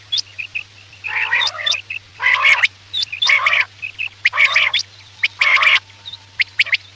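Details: Quail lure call for night hunting: longer raspy, buzzing phrases broken by crisp high chips, roughly once a second, over a steady background hum.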